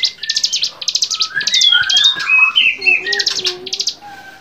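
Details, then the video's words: Bar-winged prinia in varied, lively song for training other songbirds: quick buzzy pulse trains opening and closing, with a middle stretch of rising and falling whistled slides and a soft low warbled tone. "masteran cigun gacor variasi"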